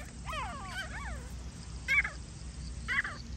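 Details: Grey francolin, filmed during a partridge hunt, giving harmonic notes that sweep down, in a cluster of about four, then two short harsh bursts over a steady low background hum.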